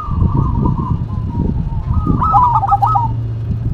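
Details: Zebra doves, a local bird and a cemani bird, singing in duet: a trilled, stuttering cooing phrase near the end, over a long faint whistle-like tone and heavy low rumbling background noise.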